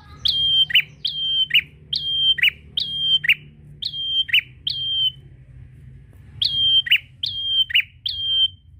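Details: A prinia sings briskly to draw a rival, about ten repeated phrases of a short high whistle sliding into a lower buzzy note, in a steady run, a pause, then three more, over faint low hum.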